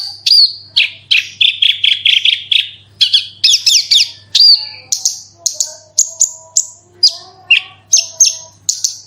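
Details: Bushlark lure song for prompting other branjangan to sing: a continuous rolling series of high chirps and buzzy trilled notes, each burst roughly every half second, varied and mimicking, with faint lower tones and a soft hum beneath.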